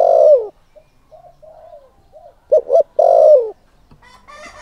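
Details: Spotted dove used as a lure to provoke males, giving a long falling coo, soft murmured notes, then a sharp double coo and another long descending coo, ending with faint higher chirps.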